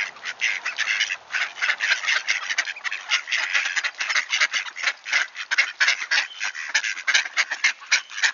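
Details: A flock of returning wood ducks, Sainte-Adèle, Quebec, Canada, on a frosty clear autumn morning in October 2024: packed, quack-like chattering calls, bursts crowding one after another for the whole stretch.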